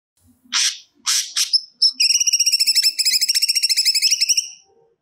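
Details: Grey-cheeked bulbul singing actively, pouring out stored song material; two harsh buzzy bursts, then a fast even trill of paired notes running about two and a half seconds.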